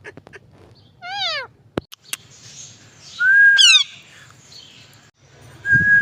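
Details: Parrot talking: a descending stack of harsh harmonic notes, sharp clicks, then a loud scratchy squawk sliding into a long flat whistle, ending with a low thump.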